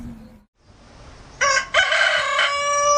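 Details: After a quiet start, a rooster gives a brief opening note, pauses, then launches into a long, sustained, raspy crow that carries on to the end.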